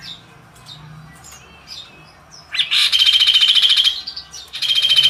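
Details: Magpie robin (kaso-kaso) in chatty 'gajor dorr' song: scattered soft high notes, then two loud, buzzy, rapidly pulsed rattles of about a second each, separated by brief twittering.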